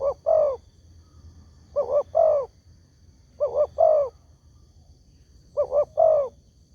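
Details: Spotted dove call used as a lure to make other doves answer: two quick low coos followed by a longer, drawn-out falling coo, the phrase repeated four times about every 1.8 seconds over quiet low background hum.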